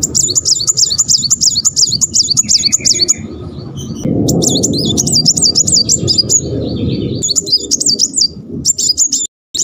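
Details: Brown-throated sunbird, locally muncang, singing in the fast rolling tembakan style while wagging its tail: rapid, high, tightly repeated sharp zig-zag notes in long bursts, pausing briefly and resuming, over a low rumbling background.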